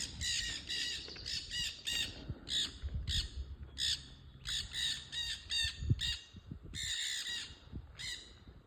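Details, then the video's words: Parrots calling noisily on a trail; loud, grating squawks in irregular bursts with short gaps, tapering to scattered single calls, with low thumps and rustling beneath. "Noisy Parrots on the trail"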